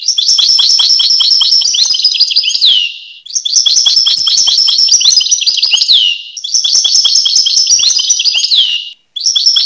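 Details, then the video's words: European goldfinch (Carduelis carduelis) singing rapid, tinkling twitters and buzzy trills high in pitch, in bursts of about three seconds with brief pauses between. "Goldfinch (Carduelis Carduelis) Songs"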